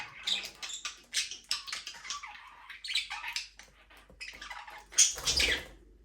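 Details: Budgerigars in a small aviary, playing and flying freely, keep up rapid, scratchy chirping and warbling with many short notes, ending in a louder burst of harsh squawky chatter with a few low thumps.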